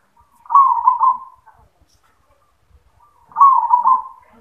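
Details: Zebra dove kept in a cage, singing in the 'yoman' style: two smooth, vibrating coo phrases of about a second each, roughly three seconds apart, with a quiet background.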